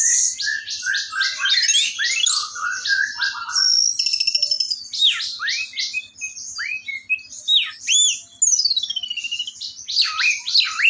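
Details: Long, continuous orange-headed thrush song mixing trills, rising and falling whistles, mimicry-like rattles and looping slurred notes, loud and varied throughout.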